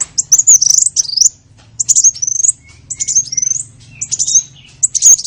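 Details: Small birds used as a lure to attract other small birds: high thin chirps and twisting whistled phrases, some rising then falling, in quick bursts with short gaps between them.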